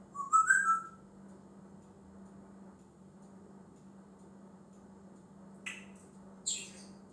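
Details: Talking pet African grey parrot, male, known for many words and noises, gives one short rising whistle, then two sharp hissy clicks several seconds later, over a steady low household hum.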